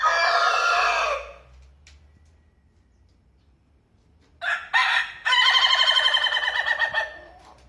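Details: Rooster crowing in two bouts among various crow styles: a first crow cut off at its end, a quiet gap, then two short clipped notes and a long tremulous drawn-out crow over two seconds.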